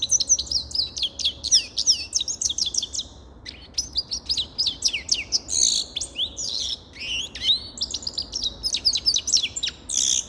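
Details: Continuous high twittering song of a grey-crowned goldfinch: rapid runs of thin, tinkling notes and rising slurs with a few brief breaks. The chatter stays lively and sharp throughout.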